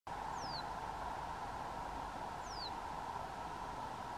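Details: Reed bunting at Store Mosse National Park, southern Sweden, in July 2023, giving two thin, high, downslurred 'tseeu' calls about two seconds apart over a steady roar of wind or distant traffic.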